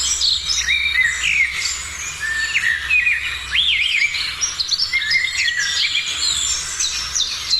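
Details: Morning birdsong: several birds sing at once, overlapping chirps, whistled slurs and rising and falling notes high in pitch fill the whole stretch without pause, with a faint low hum beneath.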